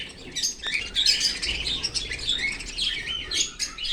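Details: Australian cockatiel kept as a pet, playing with its owner's bangles; a busy run of short, high chirps and scratchy twitters comes in quick bursts, mixed with light clinking and rustling throughout.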